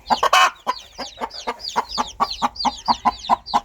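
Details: Steady, rhythmic clucks of a hen calling her baby chicks, about four per second, starting with a louder rough cluck, chicks peeping high overhead.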